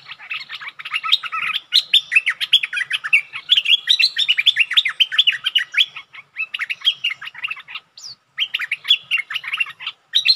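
Bulbul chatter: a rapid, bubbly stream of sharp mid-to-high chirps, nearly continuous with brief pauses around six and eight seconds.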